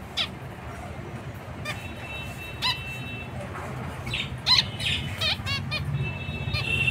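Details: Zebra finches uttering sharp nasal beeps and toy-trumpet honks, irregular and picking up toward the end, over low rumbling background noise.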